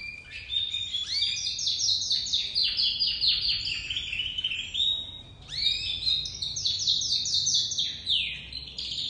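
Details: Juvenile crested dominant-white domestic canary in early song: two long high rolls of rapidly repeated chirping syllables, separated by a brief pause around the middle.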